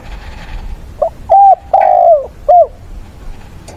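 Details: Decoy spotted dove used to stir up wild doves, singing to call mates and in fighting song style on a weekend, 6/9. A single clear four-part coo: short note, long steady coo, longer drooping coo, short final note, over low background hum.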